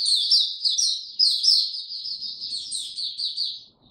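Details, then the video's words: Caged white-eye in warm, very humid conditions delivers a continuous, high, warbling twitter of quick sliding notes, loudest in the first half, with a brief pause near the end. "Mata Puteh Hercules buka sing warm n very humid weather"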